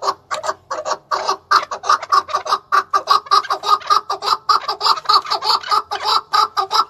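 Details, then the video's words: Rhythmic chukar partridge song from a male in Tajikistan, 2020: steady pulsing chuk-chuk notes repeated almost twice a second, loud and close throughout. "Как поёт горная Куропатка,Каклик"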